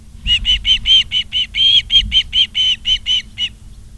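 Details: Osprey calling at Charlo, Montana, 28 August 2023, from a live nature cam: a steady train of about fourteen loud, high, piercing whistled chirps, evenly spaced, over faint low wind noise.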